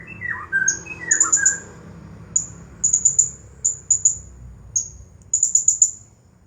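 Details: Blue-crowned hanging parrot, a champion bird, in its nonstop 'nagih hutang' song style: a few lower slurred whistles open, then very high, piercing chirps in quick runs of three to five notes, each run separated by short pauses.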